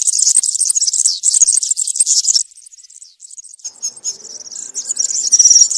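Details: European serin singing in the country style used to train young serins, a dense, very high jingling, buzzy twitter for over two seconds, then softer, scattered high notes and thin whistles.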